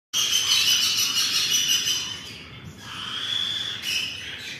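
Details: Mini macaws feeding each other give a harsh, raspy, continuous churring squawk that breaks off briefly and then resumes, with no other clear sounds.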